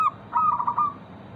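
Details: Local zebra dove giving a lure song to encourage other zebra doves to sing: a single brief cooing phrase, a short note followed by a soft, wavering, trilled coo that fades out, against low background noise.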